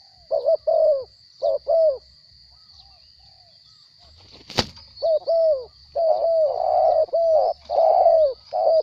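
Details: Captive spotted dove said to have a small voice: paired mid-pitched coos, a pause broken by a sharp clap or wing flap, then fuller, longer coos resuming, with a faint steady high tone behind.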